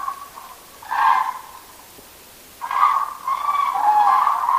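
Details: At a night roost, common cranes give a loud rolling trumpet call, then after a pause a longer, sustained chorus of overlapping calls that swells toward the end.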